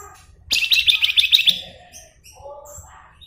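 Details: Flamboyan bird singing actively in a gacor style: a fast, dense burst of high chattering notes repeated rapidly for about a second, then fainter scattered chirps and low background hum.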